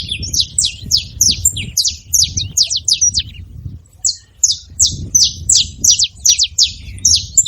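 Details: Saffron finch calling in two bursts of quick, high, downslurred chips separated by a short pause near the middle, notes tumbling about three a second over low ambient noise.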